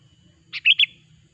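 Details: A single bright phrase from a sooty-headed bulbul, played as a trapping lure: one short note followed by two louder slurred whistles, all within half a second, over a quiet low hum.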